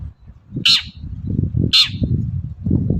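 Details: Long-tailed shrike giving two loud, harsh scraping calls about a second apart in the morning, meant to make other shrikes answer, against a steady low rumbling background.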